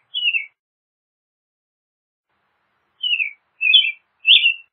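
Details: American robin song: one short downslurred whistled phrase, a long pause of over two seconds, then three quick warbled phrases in a row; background otherwise silent.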